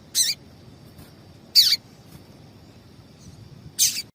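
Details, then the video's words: Female double-collared seedeater calling, used by breeders to excite males before singing tournaments: three short, sharp, high chips spaced about one and a half to two seconds apart over a faint steady background hiss. "Piado de Fêmea de Papa capim"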